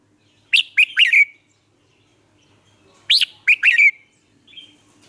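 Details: Vietnamese Red-whiskered bulbul used as a lure singer to coax newly caught birds into song. Two short bubbling phrases about two and a half seconds apart, each of three to four rapid slurred whistles, with a faint soft note after.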